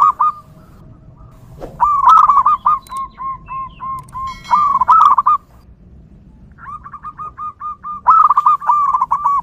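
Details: Zebra dove singing freely outdoors, a recording suited to luring other zebra doves: several bursts of fast, bubbling coos, each starting with slurred notes and ending in steady repeated ones, separated by pauses.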